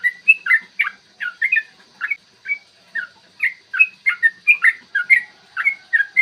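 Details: Yellow-vented bulbul in full 'ropel' song, meant to provoke birds to sing and become aggressive: rapid chattering run of clear whistled notes, each dipping or rising, continuous over six seconds.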